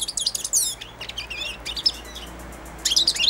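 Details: Young caged European goldfinch, four months old, practising subsong while hand-fed: bursts of high, twisting twitters and slurred whistles, a pause of about a second, then another quick chirpy burst.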